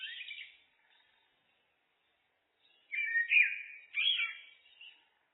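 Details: Looped blackbird song: a brief warble ends, a silent pause of about two seconds follows, then two loud fluty, whistled phrases in quick succession, each with a twittering finish.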